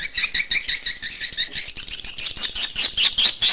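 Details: Chirping swiftlet call used as an SP. KADITA lure for nest houses: quick, evenly spaced metallic chirps about five per second, growing slightly louder and brighter toward the end.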